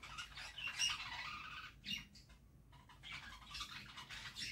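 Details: Budgerigar mother feeding chicks in a nest box; hoarse, buzzy squawking chatter from the chicks in long stretches broken by a short pause, with rustling in the nest.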